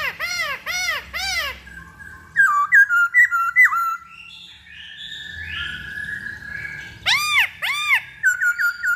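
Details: Black-throated laughingthrush lure song opening with three strong arched whistles, then quick stepped whistled notes, a softer sliding passage, and more arched whistles.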